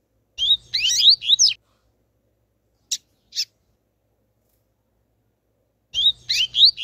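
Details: Rusty-collared seedeater pair, a spirited male and a calling female used to warm up the male: quick runs of high rising, twittering notes in two bursts separated by two isolated sharp chirps and silence.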